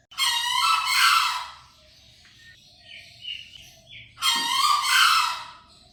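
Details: Green junglefowl (keker) calling: a loud, hoarse, broadband crow lasting about two seconds. Faint short notes follow, then a second harsh crow four seconds later.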